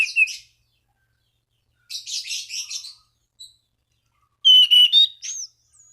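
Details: Orange-banded thrush singing to provoke rival thrushes into song: short bursts of clear whistles mixed with scratchy, buzzy notes, separated by pauses, ending in a sliding whistled phrase.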